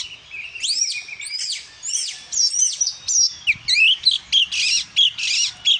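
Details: Energetic oriental magpie-robin song: arched, upslurred whistles give way to rapid scratchy chatter and clipped bright notes, a fast, irregular series of phrases at roughly one and a half per second.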